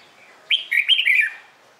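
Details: Morning song of a red-whiskered bulbul used to stimulate other bulbuls to sing; a single lively phrase of connected, swooping whistles lasting under a second.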